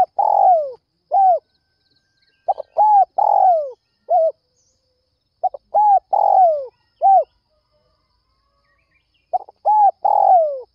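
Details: Spotted dove at dawn, calling to lure other doves; repeated phrases every few seconds of clipped double notes, a rounded coo, a long burry coo sliding downward and a short last coo, clear against near silence.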